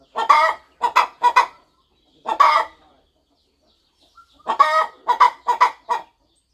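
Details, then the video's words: On a farm, a devoted mother hen settles on her nest before her eggs hatch, clucking; a group of three gravelly clucks, one lone cluck, then a run of four after a pause. "Hen Clucking Sound Effect! Mother Hen Gets Ready to Hatch Her Eggs"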